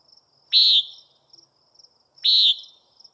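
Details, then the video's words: Two harsh, nasal buzzes from a common nighthawk, about one and a half seconds apart, each brief and loud. A constant high-pitched insect trill fills the gaps. "Common Nighthawk Calling"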